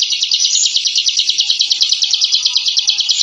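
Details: Ciblek, or bar-winged prinia, a captive bird, giving the fast ngebren song used as training material: a continuous high buzzy rattle of closely spaced repeated notes without pause.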